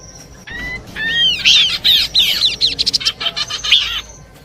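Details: Horsfield's babbler combination song for bird luring: it opens with a long thin whistle and rising slurred notes, then fast rhythmic chattering and arched whistles at about three per second.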